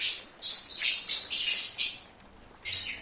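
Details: Lovebirds chattering, played as a lure to call an escaped lovebird back: harsh, high, buzzy squawking bursts, several in quick succession, then a short pause and another burst.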